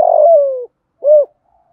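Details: A spotted dove gives a mellow cooing pair meant to set other doves cooing: a drawn-out coo sliding gently downward, a pause, then one short rounded coo.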